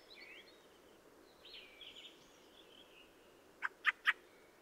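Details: Fieldfare giving soft, scratchy warbled notes, then three loud harsh chack calls in rapid sequence at the end, with hiss behind.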